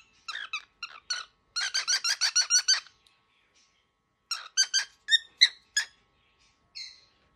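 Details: Very angry baby cockatiel: bursts of rapid, squeaky, harmonic chirps, a fast run of about a dozen harsh notes, then a pause and a second sparser series of sharp squeaks, indoors with no other sounds.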